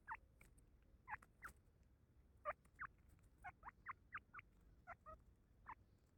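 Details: Young grey francolin calling with a rapid series of brief, sharp upswept notes, some in pairs, clustered irregularly over a few seconds against faint low background noise.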